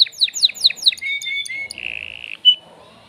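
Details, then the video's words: Caged male canary courting a female with song: a few quick downslurred chips, then short whistles leading into a sustained buzzy roll and a final sharp note. "تغريد ذكر كناري هائج يريد تكسير القفص يحفز الأنثي لتزاوج"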